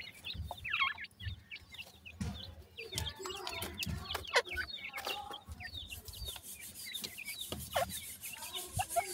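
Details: Chicks of grey francolin in Multan, held for sale, chattering with rapid, high, downslurred peeps in busy clusters, accompanied by repeated knocking, low thuds and a faint hiss toward the end.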